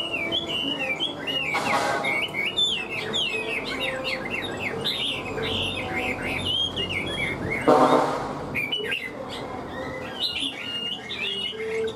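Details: Hwamei songbird kept in a cage, said to sing and fight very well: long flowing string of bright, twisting whistles, interrupted twice by brief rustling bursts, then resuming with rising and falling notes.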